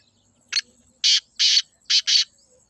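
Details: Black francolin in Pakistan giving one harsh, grating phrase of five buzzy broadband notes: a short clipped note, two longer rasping notes, then a short and a long note, against a silent background.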